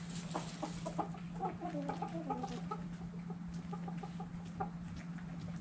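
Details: Chickens clucking while dirt bathing: a run of short, soft, stacked clucks repeated in quick bursts, with a steady low electrical hum and scratchy rustling beneath.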